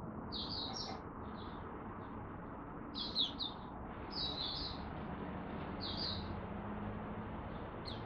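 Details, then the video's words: Caged Malaysian oriental white-eye (mata puteh) warming up with its first song of the morning: short bursts of high, quick twittering notes, separated by pauses of one to two seconds, against a low constant rumble. "Malaysian Mata Puteh Buka Sing"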